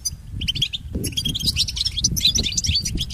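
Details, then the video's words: European goldfinch song for training pet goldfinches: rapid high twittering notes and buzzy trills, briefly pausing near one second, then resuming more densely over a low rumbling background. "Listen to Goldfinch's most famous motivations for training and education"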